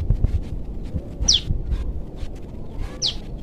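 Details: Juvenile forest prinia calls its parent with two thin, steeply falling high notes, well spaced, over low background rumble.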